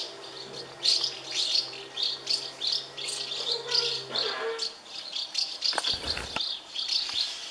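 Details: Thirty House martin nests of hungry young fed by parents; loud high chirps repeated in rhythmic swells roughly twice a second, a low steady hum in the first half and a brief rustle near six seconds.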